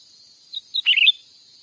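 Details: Lure call of a cucak ranting for catching wild birds in a Sumatran forest: a single short phrase of two thin lead-in notes, then a rapid cluster of bright, twittering chirps.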